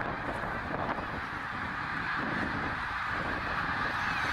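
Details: Migrating snow geese at Middle Creek, Pennsylvania, in 2023, a flock of tens of thousands returning north. A fainter, distant blanket of overlapping honking carries steadily throughout, with no single call standing out.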